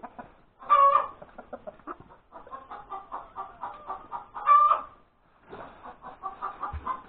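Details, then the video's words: Cackle of a hen that has laid an egg, recorded January 31, 2021, at breakfast. Two loud harsh squawks nearly four seconds apart, each surrounded by rapid rhythmic clucking. "the crowing of the hen that lays the egg"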